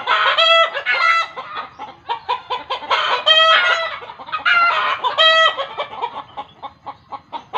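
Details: Alarmed chicken, believed in the village to be seeing a ghost: repeated loud, grating squawks every one to two seconds over a constant stream of quick clucks that fades toward the end.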